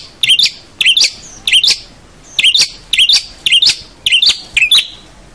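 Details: Long-tailed shrike singing energetically, a tutoring recording for training young shrikes: harsh, buzzy bursts with sharp upper notes, repeated about eight times in quick rhythmic phrases separated by short pauses.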